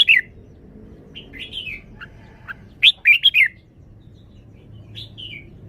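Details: Red-whiskered bulbul showing off its song style: bright, warbled whistled phrases, rising and falling, in short bursts at the start, around three seconds and near five seconds, with soft background hum.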